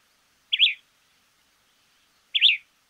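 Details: Small-billed Elaenia in Argentina giving two short, burry, slurred notes about two seconds apart, high-pitched and clean against a silent background.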